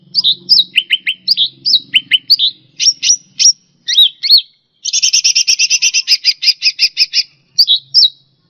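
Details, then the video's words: Cucak rante tutoring song for pet birds. Sharp high whistled notes, some dipping then rising, lead into a fast even stutter of repeated chirps. It ends with a few slurred whistles over a faint low hum early on. "Suara Burung Cucak Rante"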